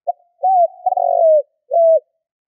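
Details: A single hunting-lure phrase from a spotted dove: a brief low note, a rising-then-falling coo, a long vibrating coo gliding down, and a final arched hoot, all on clear silence.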